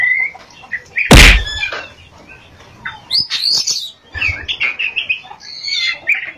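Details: Oriental magpie-robin singing in 'ngerol' and 'nembak' style, with varied high chirps and whistled phrases, interrupted early by one loud thud or knock.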